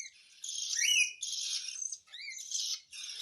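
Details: During hand-feeding a cockatiel gives hissing, buzzy begging calls in four sustained bursts, some ending in brief rising whistled squeaks, at moderate loudness and with no other sounds.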